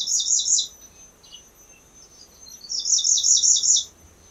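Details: Grey-breasted Prinia sings from a high open perch in a garden in Phetchabun, Thailand, giving two high, rapid bursts of thin, squeaky repeated notes, each under a second, with a few softer chips between.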